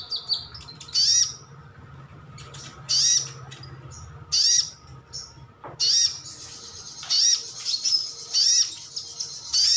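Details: Sunbird (sogon, sogok ontong or sriganti), a kept bird, giving its wild-style call to prompt other birds to respond: high, sharp, thin notes with a slurred downward twist, in bursts about every one to two seconds.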